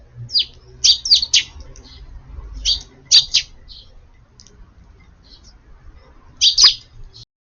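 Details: Crowded under garden eaves out of the rain, Eurasian tree sparrows call at lunchtime on 7 June: clusters of sharp, high chirps in quick twos and threes, separated by quieter gaps over faint low noise.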